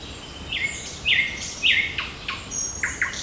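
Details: On a June 8 morning in park and forest, a bird repeats loud buzzy chirped notes roughly every half second, followed by short falling tweets, with faint high calls behind.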